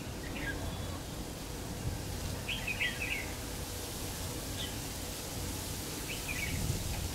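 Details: Red-whiskered bulbul used as a lure bird during trapping, 3 September 2019. Faint, short burbling phrases of a few quick notes come every second or two over a steady low outdoor hum.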